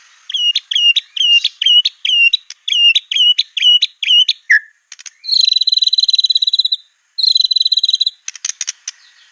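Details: White-rumped shama in clear, full competition-style song with bursts ('tembakan'), made as a master recording for other birds to copy: about ten quick repeated whistled phrases, a low slurred note, then two rapid buzzy trills and scattered chips, clean background.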